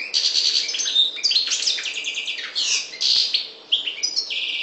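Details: Parva goldfinch of the Maghreb delivering a continuous, tinkling song of buzzy trills and sharp chirps, high and rapid, with a faint click near the middle.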